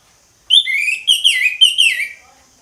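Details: Ngeplong-style song of an orange-headed thrush: three loud whistled phrases in quick succession, each a rich, falling slur, ending in a soft fade.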